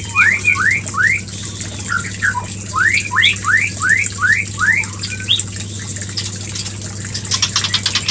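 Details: White-rumped shama, used as a lure to trigger mating: a fast series of rising whistled upslurs around mid pitch, about two to three a second, with steady hum and brief clatter near the end.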